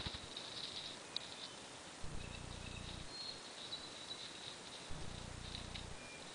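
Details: Ruffed grouse drumming on its log about 3 feet from a trail camera microphone: two low, muffled runs of rapid thumps, each about a second long, a few seconds apart, with faint high bird or insect notes behind.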